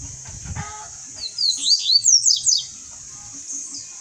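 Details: Caged double-collared seedeater passing on its song. Low thumping noise first, then a bright phrase of quick, high, sharply slurred notes, seven or eight in a row, with a faint echoing note afterwards.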